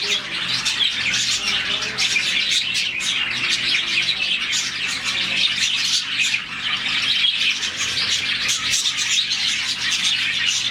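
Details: Captive colony of around 40 budgerigars chirping in the morning, a sound made when they are happy; a dense, continuous wash of high, overlapping chirps and tweets that never pauses.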